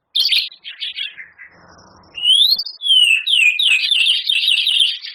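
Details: Loud white-rumped shama song, a champion bird's rich volley with canary, cililin and lovebird mimicry: scratchy chatter, a brief low rasp, then a run of sweeping, rising and falling whistles.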